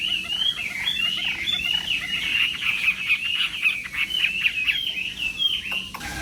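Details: Chinese hwamei in a singing contest, singing during morning voice training: a continuous run of bright, rapidly varied whistled notes and trills held at a fairly even pitch, with faint background hiss.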